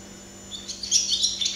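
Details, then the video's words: Singing barn swallow (Hirundo rustica) seen up close, giving a short high twittering phrase that begins softly and brightens into quick chirps. "Canto de golodrina - Song of barn swallow - Canto da andorinha-das-chaminés"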